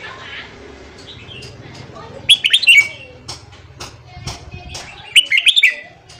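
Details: Red-whiskered bulbul giving its morning training song for newly caught birds: two lively phrases of rapid, rolling, chirpy whistles about three seconds apart, with scattered clicks and faint murmuring between them.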